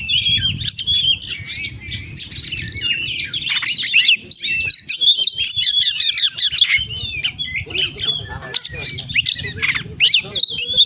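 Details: Oriental magpie-robin in full song packed with mimicked phrases: dense, rapid high whistles, trills and chattering notes tumbling without pause, over a steady low hum.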